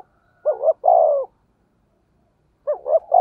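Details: Spotted dove singing in the 'thổ sấm' thunder-voice style, played to stir other doves: one full phrase of two short clipped coos and a long falling note, then silence before the next phrase begins.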